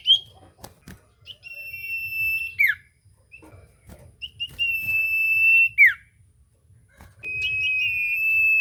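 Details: Common iora singing actively, used as a lure to get silent ioras to sing: long level whistles held one to two seconds, each ending in a quick downward slur, separated by short gaps, with faint low background hum.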